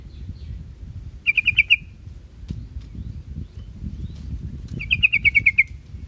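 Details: Yellow-vented bulbul, local name trucuk, sings two bursts of rapid, bright chirps, five and then about eight notes, over a steady low background rumble.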